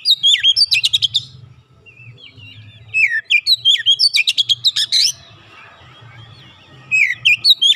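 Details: Oriental magpie-robin, a trained bird, delivering rapid bursts of sharp chattering notes and bright whistled slurs in two energetic bouts around a quieter middle stretch.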